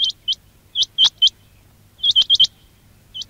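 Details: Quail call recorded as a trapping lure: clipped, rising whistled notes, some single and others in a rapid run of four, spaced irregularly against a quiet background with a soft low hum.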